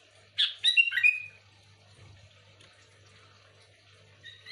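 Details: Sooty-headed bulbul, a recording for attracting other bulbuls: one quick burst of liquid whistled notes sliding downward, then near silence with a soft hum and a faint note at the end.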